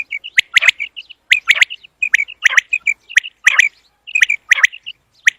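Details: Common quail sound for quail hunting: loud, clipped three-note calls repeated roughly every second, each followed by a couple of short soft chirps.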